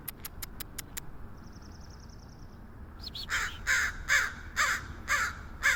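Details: Crow in San Francisco: sharp clicks and a faint rattling tick first, then a quick series of harsh caws after a short rising squeak.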